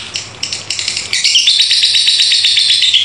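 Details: Lovebird delivering its long 'ngekek' song: bursts of high scratchy chatter, then a fast, unbroken, buzzy trill that carries on steadily without pause.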